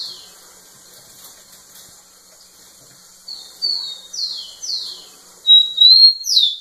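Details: Rufous-collared sparrow singing to a female; after a quiet start, a run of sharp descending whistled slurs, then a bright sustained whistle and more falling notes, growing louder toward the end.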